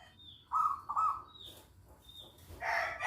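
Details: Local zebra dove in active song: a pair of loud, trilled coos, with thin, higher whistles and a noisy burst at the end.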